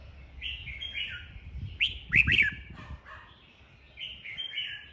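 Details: Caged red-whiskered bulbuls in a singing duel to excite a young bird. Soft warbled phrases lead into a burst of three loud, clear, downward-sweeping whistles, followed by quieter chattering and more warbling.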